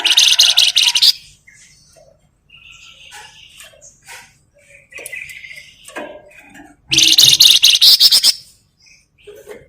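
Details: Lure recording of an actively singing grey-headed canary-flycatcher (flamboyan) meant to draw out other birds: a dense buzzy rattle opens, scattered soft chips and short whistles follow, then a second long harsh burst.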